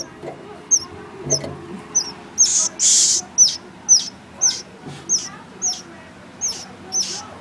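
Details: Swallow calling: high, thin chirps repeated about twice a second, each a quick sharp note, with a louder hissing rush partway through and low background rumble.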